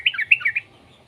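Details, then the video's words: Brief bubbly phrase of four or five rich, slurred notes from a young yellow-vented bulbul meant to prompt other bulbuls into song, followed by quiet. "suara burung trucukan muda PALING AMPUH buat Pancingan trucukan agar BUNYI"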